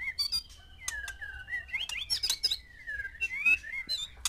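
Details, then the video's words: Caged male white-rumped shama housed with six females to provoke breeding; varied whistled song with rising and falling slurred notes mixed with sharp clicks and high chirps. "MANCING BIRAHI 6 MURAI BATU BETINA DENGAN 1 JANTAN"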